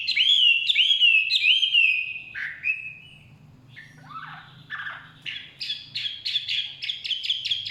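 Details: Chinese hwamei singing in forest: loud rich whistled phrases sliding down, then lower broken notes and a fast run of repeated bright whistles near the end.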